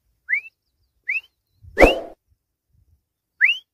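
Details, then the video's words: Grey francolin calling: four shrill, upslurred whistled notes at uneven gaps, under a second apart at first, then a longer pause; a dull thump lands under the third note. "Teetar ki Awaz | Grey Francolin Voice | Teetar Ki Boli"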